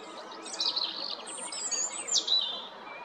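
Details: European robin at Jarun in Zagreb, Croatia, 13 April 2022, singing a rich run of high, varied notes: thin descending whistles, quick rattling trills and sharp upward-sweeping figures packed into about three seconds.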